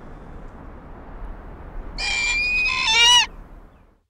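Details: Before dawn at a nest box in Eastern Massachusetts, a female Barred Owl shows approval of her mate's food delivery with a burst of wild, harsh squeals lasting just over a second, shrill, rising and raspy; otherwise quiet.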